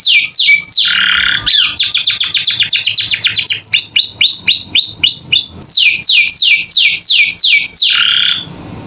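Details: Captive canary in full gacor filler song, meant to teach young birds: descending whistles, a buzzy trill, fast rattling rolls, curved upswept notes, more sweeping whistles, then a fade.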